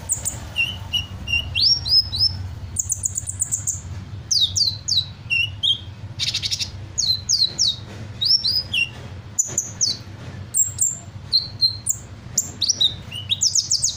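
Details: Hummingbird singing energetically and copying an assortment of bird sounds: a long, varied run of sharp high chirps, slurred whistles and brief trills, with one buzzy burst midway and a low hum beneath.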